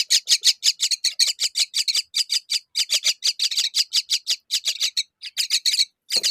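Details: Myna feeding fig to her babies: a harsh, raspy churring of short broadband notes, about four or five each second, repeated almost without pause for six seconds.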